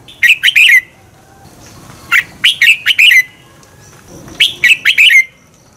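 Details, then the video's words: Competitive song of a red-whiskered bulbul, played to rouse other birds; three phrases of four to five bright, rolling whistled notes, coming every two seconds or so. "Luyện chào mào hót sáng Giọng xoắn kép hay KÍCH CHIM CĂNG HÓT ĐẤU, luyện chào mào căng lửa"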